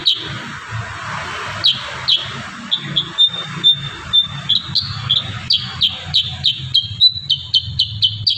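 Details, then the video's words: Kurincang in 'tembakan rapat' song, a rapid burst style used to train songbirds. Scattered high chips build into a dense, quickening series of sharp whistled notes over a steady low background rumble. "Masteran burung kurincang tembakan rapat"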